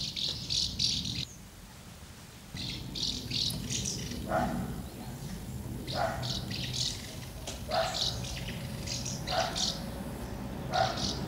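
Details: Many house martins gathering at two nests on 24 August 2012, feeding young and fledging. Dry, buzzy chirrups come in clustered bursts, with lower mid-pitched notes now and then over a steady low rumble.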